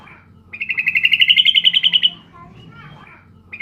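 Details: Single rapid chatter from a female Sooty-headed bulbul calling a male, about fifteen quick buzzy pulses over a second and a half, edging upward in pitch, then soft faint notes before the next call begins.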